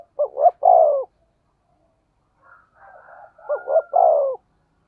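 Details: Spotted dove with a thunder-like 'thổ sấm' voice, used to provoke other doves: two deep coo phrases, each two short notes leading into a long note, separated by soft murmuring coos.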